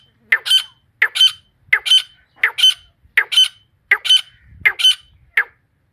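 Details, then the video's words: Wild female grey francolin calling in a regular series: about eight loud, grating two-note squawks, each with a sharp ringing tone, spaced roughly every 0.7 seconds, with faint low rumbling in the background. "Jangli female tetar ke mastii azwaz"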